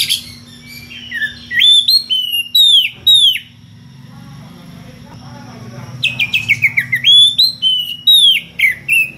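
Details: Magpie-robin known locally as kacer, ngeplong style, calling a rival with odd variations: series of loud upslurred whistles and quick descending trills, a quiet pause with faint low noise, then another run of rapid repeated notes and whistles.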